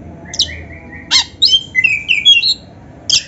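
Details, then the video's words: Black-breasted magpie-robin singing canary-like phrases as a tutor and lure recording: a thin rising whistle series, a sharp burst, then a quick string of bright, warbling high notes and a closing chip. "MASTERAN KACER GACOR FULL ISIAN MEWAH KENARI⁉️ || BURUNG KACER DADA HITAM COCOK buat PANCINGAN‼️"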